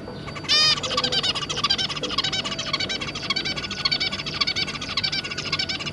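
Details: Adult zebra finch pair with three juveniles, 2 August 2022: one sharp nasal beep, followed by continuous rapid buzzy twittering notes throughout, over a steady low hum.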